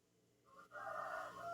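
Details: A rooster crows in the distance in the morning, a hoarse drawn-out note held steady and then trailing off, over the steady hum of an inverter fan running under load.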